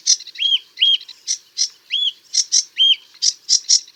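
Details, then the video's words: Harsh scratchy notes from a sedge warbler alternate with sweet arched whistles that rise and drop, giving a lively back-and-forth rhythm of rough and clear sounds. "Sedge Warbler - Songs"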